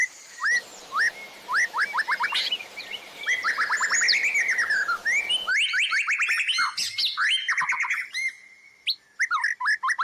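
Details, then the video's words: Long White-rumped shama training master song with fill-ins: spaced sharp whistled upstrokes, then a rising and falling trilled run, and after an abrupt change, busy chattering notes and rapid high ticks. "MASTERAN MURAI BATU TERBARU 2025 🔥 | FULL ISIAN & TEMBAKAN"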